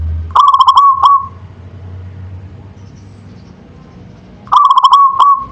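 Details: Manggung song of a local zebra dove. Two rapid trilled coo phrases of fluttering notes, each tailing off into a held tone, are separated by about three seconds of near silence.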